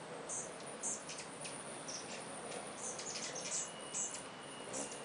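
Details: Dozens of hummingbirds swarming eight feeders in early spring, likely migrants passing through, give very high, thin chips in short irregular bursts over a steady hiss of wings, like a swarm of bees; finding: hummingbird.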